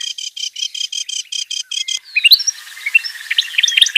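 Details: Wild kerak basi singing: a rapid run of identical short harmonic notes, about five per second for two seconds, then a jumble of thin high chirps, flicks and whistled slurs, clean with no background noise.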